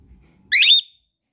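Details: A pet cockatiel greeting its owner returning home, calling loudly on hearing the car engine or door: one short, loud, shrill screech of about a quarter second, rising into a thin whistled tail, in a quiet room.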